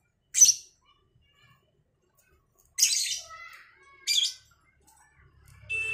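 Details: Morning exchange between two lovebirds, cobalt and Batman types, set outdoors for fresh air: three loud, harsh, high squawking chirps separated by pauses, with faint thinner tones trailing after them in a quiet setting.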